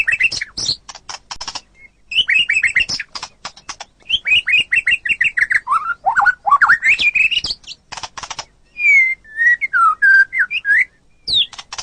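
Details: White-rumped shama (murai batu) in a master recording for training songbirds: rattling clicks, runs of rapid falling chirps, swooping whistles and a closing series of clear, sustained whistled notes, with brief pauses between phrases.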